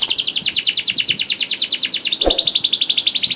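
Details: Energetic canary song played to provoke canaries that are slow to sing. Fast rolling trill of high repeated notes, briefly broken by a soft low click, then the rapid trill resumes.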